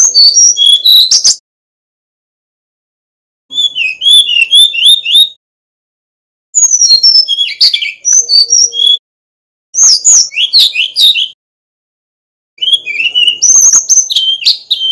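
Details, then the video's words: Bali male Brown-chested Jungle Flycatcher, a master bird for teaching other flycatchers to sing, repeats five phrases of quick, varied whistles and chirps, each lasting one to two seconds with silent gaps between. "Kicau Burung Sikatan Rimba Dada Coklat (SRDC) Bali Jantan Nyuling Gacor Isian Keluar"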